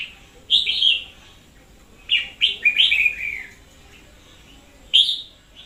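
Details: Energetic red-whiskered bulbul acting as a loud lure bird, 2021: quick runs of clear, bouncy whistled notes in short phrases, with one cluster of several falling notes in the middle and a lone bright phrase near the end.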